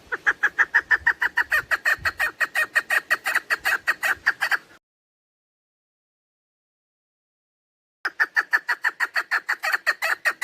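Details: Female chukar partridge call used as a lure for hunting: fast, regular series of harsh clucking notes, about three per second, in two bursts separated by a long silence.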